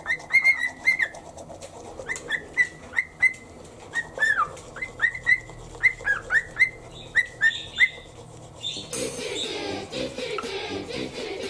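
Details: Cheerful morning cockatiel on a shoulder during toothbrushing, whistling a long run of short, clear upswept notes in pairs and triplets for about eight seconds, then a loud running-water or brushing hiss takes over.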